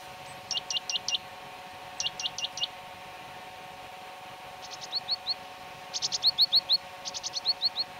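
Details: Great tit recorded in León, Spain, March–April 2019, singing bright, high, repeated two-note phrases in quick bursts of three to five. A steady low hum runs underneath.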